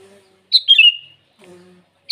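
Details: Morning song of a sooty-headed bulbul calling to rivals: one rich, fluty phrase of three quick slurred notes that fall in pitch, then a faint low murmur and the start of another phrase.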